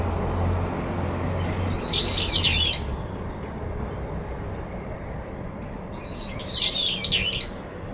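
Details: Late-September territorial dispute between two brown-eared bulbuls in a cherry tree; two squealing, wavering high phrases several seconds apart, a faint thin whistle between them, low rumbling background.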